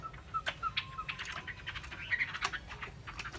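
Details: Chinese hwamei giving short clear whistled notes, a few steady lower whistles followed by higher slurred ones, among scattered sharp clicks and knocks.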